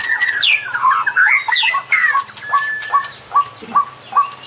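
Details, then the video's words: Long black-tailed white-rumped shama giving a full song with varied fill phrases: rich sweeping whistles and rapid slurred notes, then a series of short falling whistles repeated about every half second over a faint low hum. "Kicau Burung Murai Batu Ekor Hitam Panjang Full Isian"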